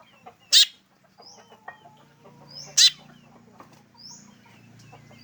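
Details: Unique call of a black drongo: two loud, rasping bursts about two seconds apart, with faint high chirps and low murmuring noise behind.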